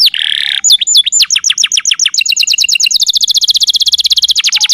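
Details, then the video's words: Canary master song used to make pet canaries answer and sing: a harsh buzzy note, then sharp descending whistled sweeps quickening into a fast, even trill of about four notes a second, loud and clean. "Suara masteran burung kenari"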